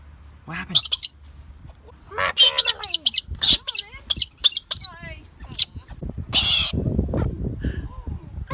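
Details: Captive pet Galah from Australia screeching when happy and excited, rolling and hanging upside down; bursts of loud, grating squawks repeated roughly once a second with uneven spacing, followed by softer rustling noise and a person talking.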